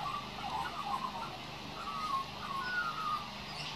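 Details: A young male Australian magpie practises his song with quiet, wandering warbles and short fluting whistles, mid-pitched and unsteady, over a steady hum of background noise.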